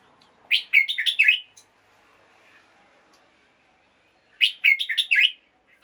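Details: Red-whiskered bulbul in a cage, singing in the morning to excite other birds: two bright, rapid warbled bursts of rich whistled notes, separated by about three seconds of near silence.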